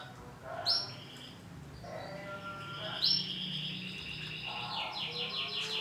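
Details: Male canary, orange and black in colour, singing in bursts of high chirps and short trills, with brief lower warbled notes between; faint background noise.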